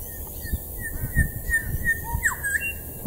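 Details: An elusive Grey Shrike-thrush, constantly moving in a tree at the forest edge at Deception Bay, gives clear, mellow whistled notes with a quick slurred sweep near the end, over low rumbling wind and background noise.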